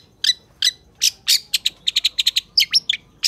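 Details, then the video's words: Long-tailed shrike singing a lively, emotive song used as a master recording to train lazy shrikes: a rapid series of harsh, buzzy and chirping notes, some bunched in quick runs, over a quiet background. "SUARA CENDET GACOR FULL JOSS❗️Suara Cendet Gacor DOR Emosi Cocok Buat Masteran Cendet MALAS"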